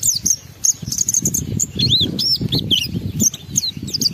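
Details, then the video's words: Energetic Oriental white-eye song in forest style with mimicked phrases, used to challenge other white-eyes into singing: a run of varied high chirps, arched and looping notes, rapid and continuous, over steady low background rumble. "Pendongkrak Emosi Pleci Tercepat agar Pleci cepat Ngalas gacor buka paruh || Pancingan Pleci"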